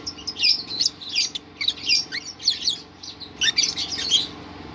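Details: Lovebird giving ngerol song: shrill, squeaky chattering bursts roughly every half second, high-pitched and busy, over a quiet background hum.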